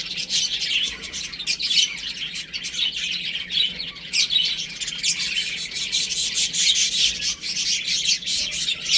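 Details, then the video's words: Baby chicks playing at home keep up a steady, busy stream of high, piercing peeps from many birds at once, overlapping without pause throughout. "Cute Baby Chicken Chirping Sounds"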